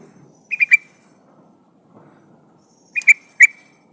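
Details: Female sooty-headed bulbul in breeding condition calling for a male: two short bursts of three bright, bubbly notes near the same pitch, separated by a pause of about two seconds, over a quiet background.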